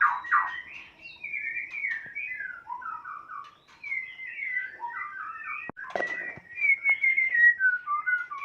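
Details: White-rumped shama of Sumatran stock, a Kota Agung and Medan (Nias) cross, singing a fluent run of clear whistled phrases with sliding, rippling notes, rising and falling in quick succession with brief sharp clicks between.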